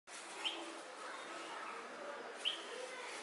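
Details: Red-vented bulbul (Pycnonotus cafer), one of a pair, in Andhra Pradesh, India, giving short, sharp high chirps about two seconds apart over a steady background hiss.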